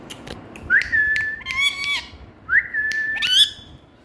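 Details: Hand-tame Indian ringneck parakeet speaking "Mithu Beti" in a high, nasal, tonal voice: two drawn-out phrases, each starting with a rising note and holding a steady pitch before ending in a sharper upturned syllable.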